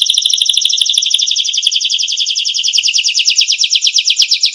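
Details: Canary song for tutoring songbirds, an unbroken, very fast chattering trill of repeated notes that gradually settles into a slightly slower, rhythmic rolling pattern.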